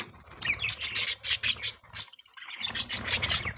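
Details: Pet budgerigars chirping in a mating call: scratchy, high chirps run together into a busy chatter, broken by a short silent gap, then picking up again with sharper, squeaky notes.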